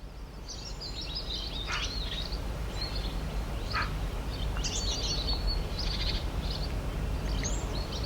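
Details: Morning birds singing: several high, thin chirps and quick twittering trills overlap through the recording, some notes sweeping downward, all set over a steady low background rumble.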